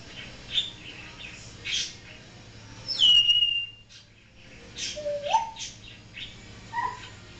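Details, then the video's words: Pet African grey parrot, a talker and noise mimic, produces a bright high whistle that slides downward, then after a pause a lower whistle that dips and rises and a short final note. Soft scattered chirps fill the gaps. "African Grey talking and making sounds"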